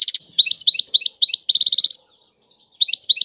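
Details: European goldfinch in tiwawati style, pouring out rapid, high, slurred twittering notes with a fast buzzy trill near the middle, a brief silence, then the twittering resumes.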